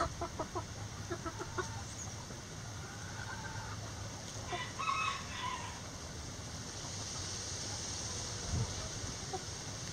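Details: Backyard chickens in a coop give soft clucks early on, then a faint, harmonic crow rises and falls midway through, over a steady low hum and background noise.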